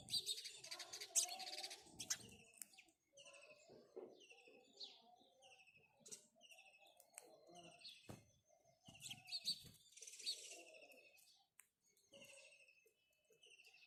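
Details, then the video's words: House sparrow calling: repeated buzzy, rippling chirps high in pitch, coming in irregular bursts, over lower murmuring sounds and a few sharp clicks. "house sparrow birds call | Call of a House Sparrow"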